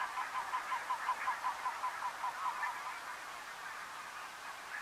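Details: Great crested grebe of the nominate subspecies, Strijen, Netherlands, February 2019: a rapid, evenly spaced run of short mid-pitched notes for nearly three seconds, then fading, over a steady background chatter of many other birds.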